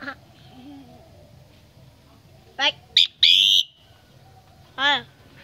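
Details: Common myna, Tet 2018 family visit, giving a chattering stacked note, short sharp click, long loud rasp, and a final descending harmonic chatter.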